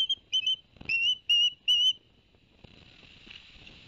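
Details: Barnegat Light ospreys, New Jersey, September 2021, around a two-fish delivery by the male: five loud, slightly slurred whistles in quick succession, then a steady hiss of wind or water.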